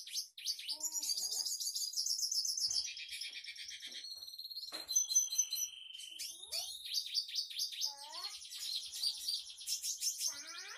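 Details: A captive red siskin sings a continuous, varied twittering song of high buzzy trills, chatters and slurred whistles, borrowing phrases from other birds.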